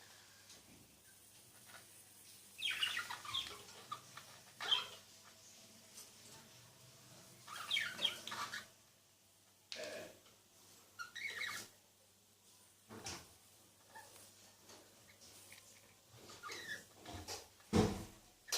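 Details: A pair of budgerigars, one of them albino, give short, scratchy chirps in scattered bursts over a low background hum.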